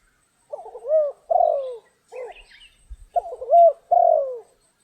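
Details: Spotted dove call heard while trapping on a rainy, stormy day: two sets of hoarse stuttering coos ending in long falling notes, a short coo between them and faint higher chirps overhead.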